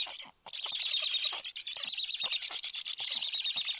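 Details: Early breakfast delivered by a parent to a black stork family's nest, 21 July 2022: sustained harsh, buzzy wheezing made of fast pulses, starting after a brief silence and continuing with a steady throbbing rhythm.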